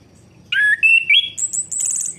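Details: Orange-headed thrush song used to stimulate a bird that has stopped singing: a short burst of clear whistled notes, a slurred phrase dropping then rising, followed by high thin trilled notes.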